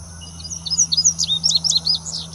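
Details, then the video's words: Second-year male Indigo Bunting singing on 8 May 2018 in West Baton Rouge Parish, Louisiana: a quick, high, sweet series of paired notes lasting about two seconds, over a faint low hum. "Indigo Bunting SY male singing"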